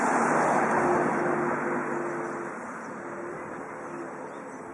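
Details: Broad traffic roar slowly fades, with faint low tonal hum and no animal call.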